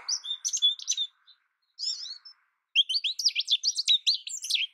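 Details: American goldfinch singing a varied, high-pitched twittering song: sweet warbled notes, a brief pause, a short slurred phrase, then a dense, rapid run of rising and falling chirps to the end.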